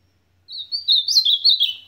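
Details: Ultramarine grosbeak in supapo song: a thin opening note leads into a lively, fast warble of high, bouncing slurred notes.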